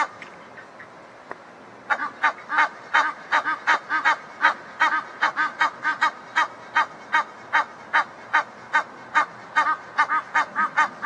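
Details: After about two seconds of near quiet with a few soft clicks, Egyptian geese, a pair in a backyard possibly talking to each other, burst into quick, regular, harsh honks that continue to the end.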